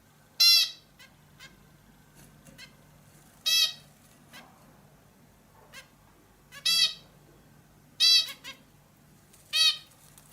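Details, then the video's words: Bulbul uttering harsh, buzzy rasping calls, each a short burst of stacked tones, repeated every one to three seconds over quiet background. "hint bülbülü sesi"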